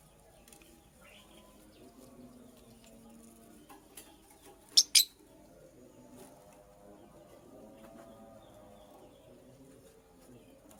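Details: Female purple lovebird making a nest gives two sharp, shrill chirps close together near the middle, with quiet, low room hum before and after.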